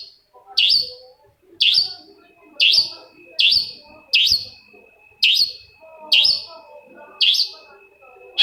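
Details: Bait song of a long-tailed shrike, used to make a reluctant shrike reply: a series of harsh, downward-sliding scratchy notes repeated roughly once a second over a soft steady tone.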